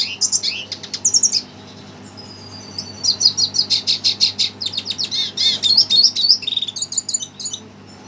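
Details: Red siskin stirred up by a played recording, pouring out a long run of fast high chirps and twitters, some buzzy and trilled, after a brief pause.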